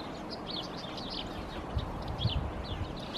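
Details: A Yellowhammer (Emberiza citrinella) perched in a tree in Helsinki, Finland, in February 2022 gives thin, high, quick notes in short bursts of rising and falling chirps over a steady low rumble of distant background noise.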